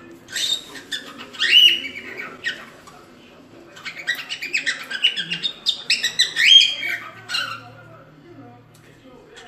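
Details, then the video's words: Cockatiel, kept as a pet, giving bursts of chirpy, scratchy calls with a few whistled upslurs, in two busy clusters separated by a quieter pause; faint low background hum. "SOM DE CALOPSITA"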